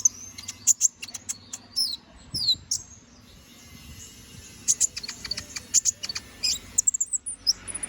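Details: Domestic canary singing 'gacor ngobra' style, a master song for tutoring magpie-robins: bursts of very high, thin chirps and short sweeping notes, a quiet gap in the middle, then another dense cluster of bright twitters.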